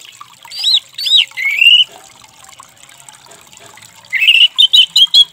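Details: Orange-headed thrush (anis merah) song used to restart a stressed, silent bird: two arched whistled notes and a rising slurred phrase, a short pause, then a quick run of bright repeated chirps.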